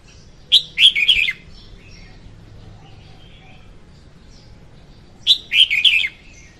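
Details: A female red-whiskered bulbul sings a song used to lure birds for trapping; two clear whistled phrases about five seconds apart, each sharp notes running into slurred falling whistles, with a quiet background.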